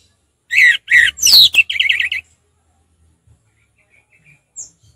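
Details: Orange-headed thrush in relaxed ngeplong song: loud slurred whistles and a falling sweep, then a rapid stuttering trill, followed by near silence.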